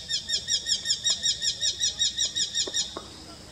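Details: Eurasian hobby, a small slim falcon, recorded in Kashmir, giving a fast, even series of sharp, high, nasal kew notes, about three per second, then a few faint clicks.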